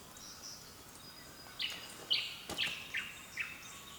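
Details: Birds in the early morning on the east coast of Australia, recorded on a camera: after a quiet start, four or five loud high chirps spaced about half a second apart, over a faint hiss.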